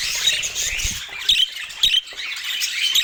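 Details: Budgerigars in dense, continuous chatter: overlapping high squawks and warbled chirps, with a few louder bursts breaking through every half second or so.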